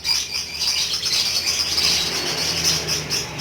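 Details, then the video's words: Lovebird giving a long chattering song, described as continuous cackling; dense, high, buzzy chirps stacked together and running without pause throughout, with a steady shrill texture and no other clear sounds. "BURUNG LOVEBIRD TERAPI PANJANG UMUR ‼️GACHOR NGEKEK BIKIN ADEM"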